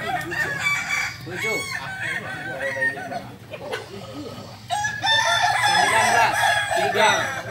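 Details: Several Balenggek roosters compete in the landiak class at a Sunday contest in Ampang Kualo, Solok city, trading long multi-note crows whose syllables arch up and down in quick succession, with low background hum.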